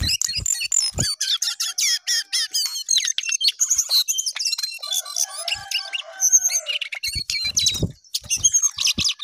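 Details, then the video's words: Energetic Jongkangan song, a long fast stream of sharp high chirps and clicks, then sliding whistles and a few lower drawn-out notes, then rapid chattering again. "Jongkangan Gacor Naik Turun Oke"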